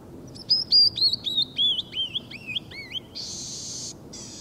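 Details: Single male Canyon Wren wintering at Rattlesnake Bluffs on January 25, 2013, the species' furthest north and rarely there in winter; a clear cascade of about ten sliding whistled notes stepping down in pitch, then a harsh buzzy burst, over low background rumble.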